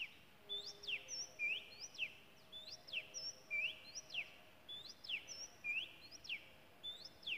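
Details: Oriental magpie-robin singing in the wild in Malaysia, repeating loud whistled phrases about once a second. Each phrase has a short rising note followed by a sharp falling sweep, over faint steady background noise.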